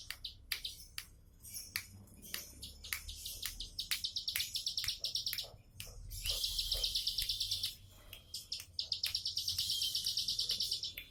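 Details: Ciblek sawah, the bar-winged prinia, giving a relaxed tembakan song: rows of quick sharp chirps broken by two long, dense buzzing trills high in pitch, over a soft low background hum.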